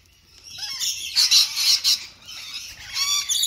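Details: Rainbow lorikeets feeding on apple: a thin rising squeak, then loud strident screeches in several bursts, ending with a buzzy, rattling chatter.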